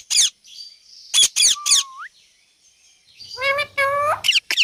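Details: A pet rose-ringed parakeet (Indian ringneck) gives harsh, screechy bursts and a rising whistle, then mimics speech-like phrases with stacked tones.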